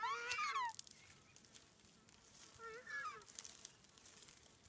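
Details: Takahe (Porphyrio hochstetteri), one of three in an open predator-free sanctuary, Tawharanui Regional Park, New Zealand, giving two loud, harmonic calls that slide downward a few seconds apart, like a drawn-out mew; faint background hiss.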